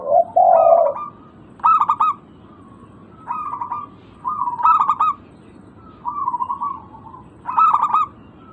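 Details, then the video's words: Local zebra dove cooing, used as a lure for birds that have stopped calling: a low smooth coo, then repeated phrases of fast stuttering notes spaced about one and a half seconds apart. "Pancingan burung perkutut lokal Atasi macet bunyi sangat ampuh dijamin pasti langsung nyaut gacor"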